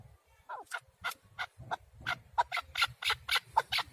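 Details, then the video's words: Male partridge calling, recorded as a hunting lure: a steady run of harsh, clucking chuk notes, about four per second, the notes growing louder and fuller toward the end. "Овози кабки шикори Keklik avi Partridge صوت ذكر الحجل للصيد اواز کبک"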